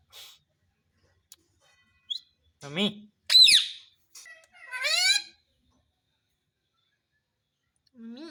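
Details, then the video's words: Pet talking parrot: a loud sharp whistle and a squeaky, harsh spoken imitation follow a person's short words, then a long silence and one more human syllable. "पापा बोलने वाला तोता _ Talking Parrot"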